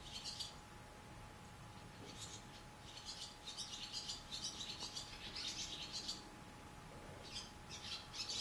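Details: Barn swallows in a cow barn, with nestlings in the nest and adults flying in and out to feed them, give high, rapid twittering chirps in uneven bursts, about two a second, over a steady low mechanical hum.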